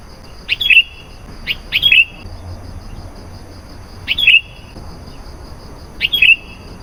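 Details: Sooty-headed bulbul in lively song, used as a lure to call in wild bulbuls: four short, bright, slightly falling chirped phrases spaced irregularly over seven seconds, with quiet gaps between.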